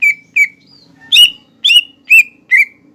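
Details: Lesser green leafbird song made for training songbirds, carrying imitations of fighting sparrows and lovebird: evenly spaced, bright, slurred chirps about twice a second over a faint low hum.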